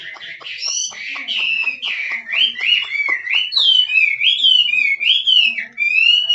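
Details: Wild Chinese hwamei singing 'drumming' style: continuous melodious whistling with wavering, swooping phrases, many sharp ticks interspersed early, building to loud, smoothly rising and falling whistles.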